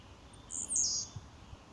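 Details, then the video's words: A Blue-black grassquit sings one very high, buzzy, slurred note about half a second long, over a faint low rumble. "Tiziu Cantando"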